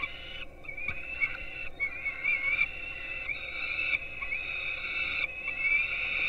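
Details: Peregrine nestlings in Gdynia, Poland, filmed at 4:21 am by a webcam as they get breakfast, produce a long, wavering, almost unbroken begging whine with slight pitch wobbles and faint clicks.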